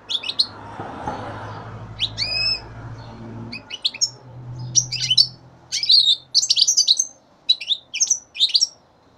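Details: Young European goldfinch, three months old, of the 2015 brood, sings bright twittering phrases of high chirps and short trills in quick irregular bursts, getting denser toward the end, over a steady low hum.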